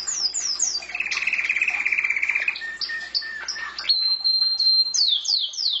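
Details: Canary kept as a pet, singing rapid rolling trills, then a long pure whistled tone, followed by quick downward-sweeping high notes in a series.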